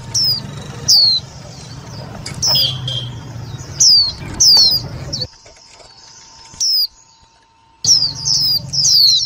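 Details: Indian white-eye calls used for trapping and stimulating other white-eyes: sparse single high descending notes every second or so, a brief silent break near the middle, then paired chirps resume.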